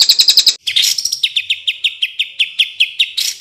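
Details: Greater green leafbird tutor song packed with the sharp 'tembakan' bursts favoured by contest judges: a quick high chattering burst, then a steady series of clear whistled downslurred notes about four per second, ending in a harsh flourish.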